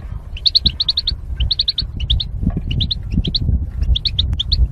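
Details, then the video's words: Caged goldfinches, paired for mating and kept apart by wire barriers, singing for song training: bursts of quick high chirped notes, four to six in a run, with short pauses between runs over a low rumbling background. "Goldfinch Chirping Sounds"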